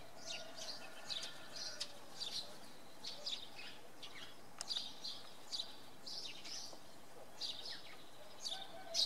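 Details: Foggy evening at Oksywie with a common redpoll calling: repeated high, dry trilled chirps and buzzy notes spaced irregularly across the recording, over a faint low hum.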